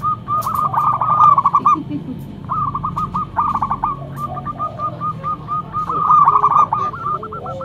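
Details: Loud local zebra dove, a lively singer kept as a lure bird: rapid stuttering cooing phrases repeated in quick series at a mid pitch, with a low steady hum underneath.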